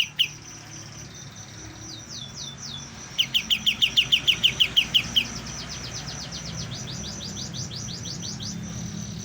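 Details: A young white-eye, starting to learn its song. Opens with a few thin high whistles, then about ten loud clipped notes in an even run. A fainter, longer series of similar notes follows to the end, over a low rumbling hum.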